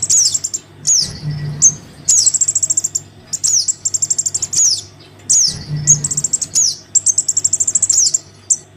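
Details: Begging calls of a crimson sunbird chick to its parent, used to draw sunbirds down: piercing downslurred notes and long even trains of ten or more rapid high ticks, repeated in bursts, with a low steady hum.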